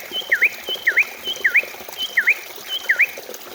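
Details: Greater green leafbird song used as a lure to prompt leafbirds to sing quickly and as anti-stress therapy: six paired rising-and-falling whistled notes, each preceded by a faint high tick, repeated steadily about every 0.6 seconds.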